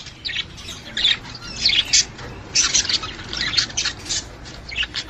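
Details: Budgerigar calls meant to stimulate a female to breed, a series of sharp chirps and scratchy squawks at uneven intervals of about half a second.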